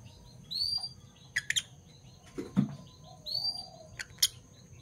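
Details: Morning chirping from two Fischer's lovebirds, parblue violet and parblue turquoise colour forms: high rising chirps repeated, mixed with sharp clicks and a soft low thump in the middle.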